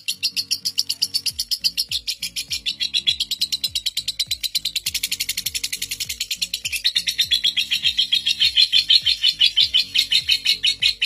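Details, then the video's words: Indonesian lovebird whose seven-minute ngekek set a record, played as a master for young birds; a dense, shrill, rapidly pulsed trill that grows louder toward the end, steady electronic beat in the background. "Pancingan Lovebird NGEKEK PALING PANJANG Pemegang REKOR Saat ini | Ngetik Ngekek"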